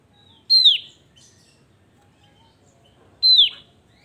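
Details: Javan grey-throated white-eye in full voice: two loud, clear whistled notes about three seconds apart, each sliding sharply downward, with quiet background between them.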